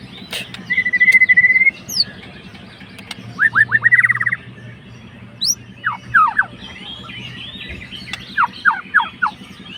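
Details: White-rumped shama fighter provoking a rival: a long, steady whistled note, then scattered groups of quick sharp downslurred notes and short bright phrases, with pauses between and a continuous low hum behind.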